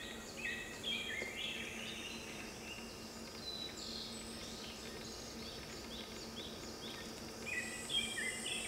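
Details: Narcissus flycatcher parent and young bathing, 16 July 2020, give short, high chirping notes in loose bursts over a low steady hum and faint background noise.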